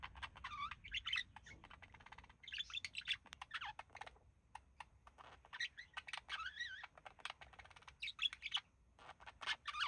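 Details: A pair of pet budgerigars relaxing indoors, the male said to mimic human speech; dense chattering warble with wavy whistled notes and clicks, in bursts separated by short pauses.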